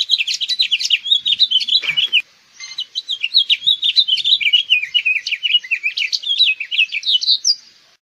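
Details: Extended House Finch singing: eight seconds of rapid, varied warbling, a tumbling string of high chirps and slurs broken by one brief pause before it carries on, climbing at the close.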